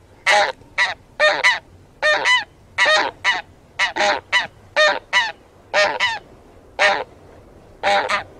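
Taiga bean geese give a run of loud, nasal honks, often doubled, about two per second with brief pauses, several birds calling together.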